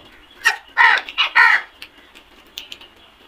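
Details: Black crows calling in a flock: a quick cluster of four loud, grating caws within about a second, then softer scattered notes trailing off.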